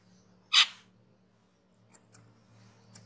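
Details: Caged cucak keling recorded as training material: one loud, rasping burst followed by a few soft clicks over a low background hum.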